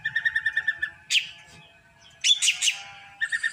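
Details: Drongo, the krantil type, singing more and more actively day by day: a rapid run of pulsed, evenly spaced notes, then harsh buzzy bursts with a pause between, and another quick pulsed series at the end.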